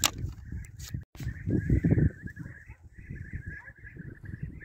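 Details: European bee-eaters during a hunt: a steady chorus of overlapping rolling, trilled calls at an even mid-high pitch, from several birds at once, broken by a sharp crack near the start and dull low rumbling noise beneath.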